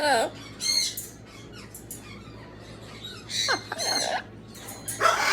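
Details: Amazon parrot talking indoors, giving bursts of swooping, harmonic vocal sounds and squawky syllables separated by pauses, over a steady low hum.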